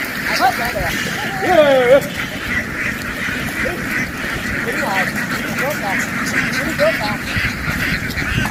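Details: Domestic ducks in a farm field, running into the water and hurrying back ashore, give loud, arched, nasal calls, several in a quick burst near the start and more scattered later, over a steady insect-like hiss and faint background voices.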